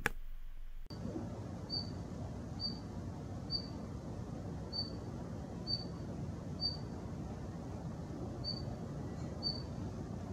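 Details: Daurian redstart, a winter visitor often heard in residential areas, whose call is likened to flint striking: thin, high, clipped notes about one a second over a steady low rumble of outdoor noise.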